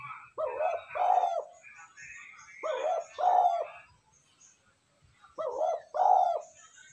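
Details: Spotted dove coos meant to excite wild doves and train decoys: three deep, breathy two-part coo phrases at roughly two-and-a-half-second intervals, with soft bird twittering in the gaps.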